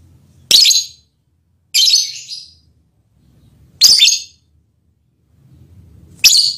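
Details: Pet lovebird giving its mating call to its male partner: four harsh, high, raspy screeches, each under a second long, spaced one to two seconds apart, in a quiet indoor setting.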